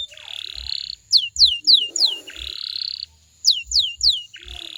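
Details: Canary singing a stimulation song for other canaries to reply to: harsh buzzy rasping tours alternate with sharp, descending whistled notes in short groups, with soft low knocks in the background.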